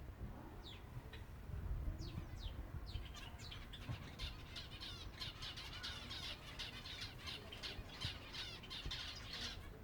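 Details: Feeding time for a group of silver Java sparrows: a few sliding chirps at first build into dense, continuous chattering from many birds, with fluttering and a low background hum.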